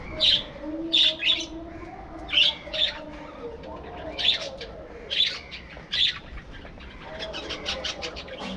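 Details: Flock of budgerigars kept as a breeding colony: sharp, high chirps burst out roughly every second over a low background of murmuring calls, and the chatter becomes denser toward the end.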